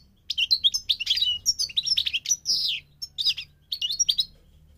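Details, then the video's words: Continuous, fast goldfinch song from a migrating bird: liquid, tinkling twitters and buzzy trills run together with barely a pause, all high and bright. "The singing of the migrating goldfinch"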